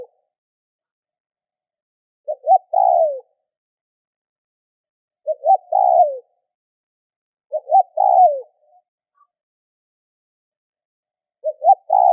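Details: Spotted dove calling to stimulate other doves: four short cooing phrases spaced roughly three seconds apart, each two quick notes then a falling coo; quiet background.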